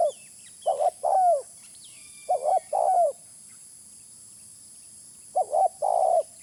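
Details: Spotted dove call used as a lure: three phrases, each a short rolled note and a longer mellow coo dropping in pitch at its end, spaced by pauses, with faint thin whistles of other birds.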